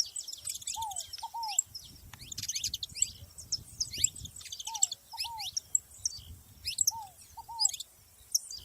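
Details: Saffron finches together outdoors: a long run of high twittering chirps and slurred notes in waves, with a low double down-slurred whistle recurring about every two seconds and soft background rumble.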